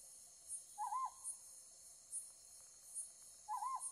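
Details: Ryukyu scops owl calling while illuminated at night, recorded on a Z9 with 500 mm lens: two quavering, undulating hoots nearly three seconds apart, with soft regular high-pitched ticks between them.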